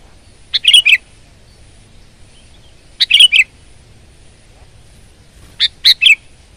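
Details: Sooty-headed bulbul (kutilang) singing persistently, repeating a short three-note chirping phrase three times at roughly two-and-a-half-second intervals, with near silence between.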